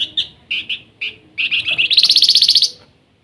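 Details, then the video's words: Flamboyan in lively nyiul song: a run of separate short chirps, then an accelerating trill that swells into a dense, bright, rapidly pulsed phrase before stopping abruptly. "Flamboyan gacor rajin bunyi nyiul"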